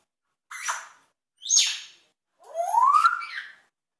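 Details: Pet African grey parrot producing sound-effect mimicry: two short, breathy, falling notes, then a longer smooth whistle that rises and levels off, with a hissy texture throughout.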